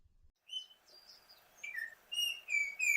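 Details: An Altamira Oriole in southern Texas near the Rio Grande gives clear, whistled notes, some sliding down, in a quick uneven series with a few higher thin notes between.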